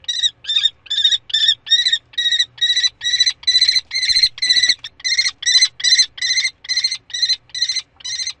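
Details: Common kestrel in spring, 15 May, calling a long steady run of harsh, grating notes repeated about twice a second for over eight seconds without a break.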